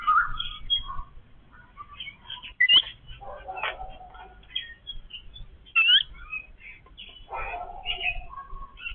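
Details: Yellow-billed babblers feeding as a family: scattered squeaky chirps, two sharp rising whistles, and rough chattering bursts between them, with soft background rustle.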